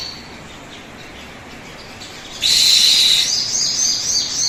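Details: Crimson sunbird song, played to prompt other birds to sing. After two quiet seconds, a loud burst of very high, thin twittering and trilling starts and keeps going to the end, with a steady hiss behind it.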